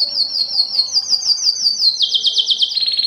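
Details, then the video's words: Canary song meant to attract females for breeding: rapid repeated high trill notes stepping slightly upward in pitch, then a sudden drop to a lower, buzzier roll near the end, loud and clear. "canary singing is very strong and long to attract females for mating and breeding"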